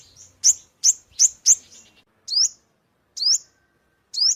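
Ornate sunbird giving sharp, high, sweeping chips, a quick run of four then spaced single notes about once a second.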